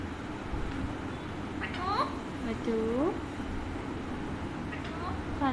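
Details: A pet Alexandrine parakeet talks in Hindi/Urdu, giving a few short, voice-like phrases with curved, rising and falling tones. Room noise and a person's voice nearby are also heard.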